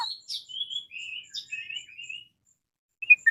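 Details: Black-naped oriole challenging a rival. Soft fluting and whistled phrases at varying pitches, some short and wavering, with a brief louder rasping note near the end after a silent gap.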